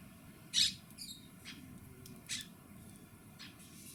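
Monk parakeet giving a loud, harsh squawk, then a few fainter, shorter screechy notes spaced irregularly over the next few seconds, over a low background rumble.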